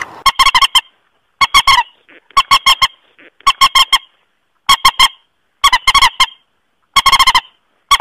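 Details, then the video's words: Lure recording of white-breasted waterhen for rice-field hunting: clear groups of three or four loud, nasal honks roughly once a second, with quiet gaps and faint softer notes between groups. "SUARA PEMANGGIL BURUNG MANDAR"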